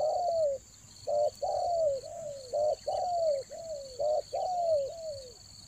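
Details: Spotted dove used for luring other doves in the rainy season, Toba: loud, mellow coos in quick phrases of short notes, each ending in a long downslurred coo. Phrases repeat roughly every second over a steady high-pitched electric-like hum.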